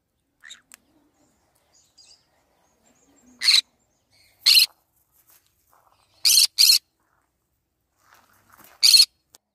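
A green-cheeked conure gives five loud, harsh, high screeches, spaced irregularly about one to two seconds apart, with quiet faint chatter between.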